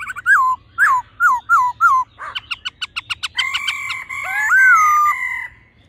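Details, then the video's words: Laughingthrush, a female giving its ro call and a male singing in the old wild-forest voice style, used to excite the male quickly: five loud whistled downslurred notes, then a rapid buzzy series and long harmonic whistles. "khướu mái ro +trống hót giọng già rừng"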